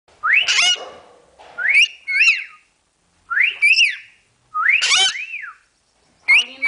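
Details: A pet parrot named Paulina gives five or six loud, clear whistled phrases, each a rising-then-falling sweep, some doubled like a wolf whistle; she says this "fiu-fiu" when she likes a person named.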